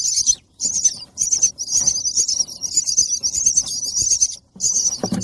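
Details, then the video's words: Baby bird chirping for food: a near-continuous high, buzzy, rasping begging call in long runs broken by brief pauses, with faint low rustling beneath. "Baby bird chirping for Feed"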